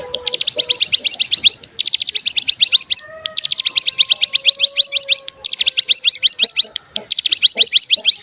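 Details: Bar-winged prinia (cigun) bren-style lure song: long, steady machine-gun runs of high, falling notes in four bursts, with faint low whistles in the gaps.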